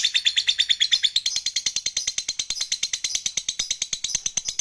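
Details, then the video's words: Lovebird chattering while falling asleep, kept as a lure for lovebirds that rarely sing: a fast, high, rattling trill of sharp repeated notes, about three per second, steady and continuous throughout. "LOVEBIRD NGEKEK SAMBIL KETIDURAN"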